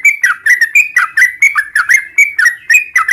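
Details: Lure recording of a sooty-headed bulbul, meant to set caged birds singing: quick, bright, gurgling whistled phrases, each note dipping and lifting, repeated around four times a second in a clean, quiet setting.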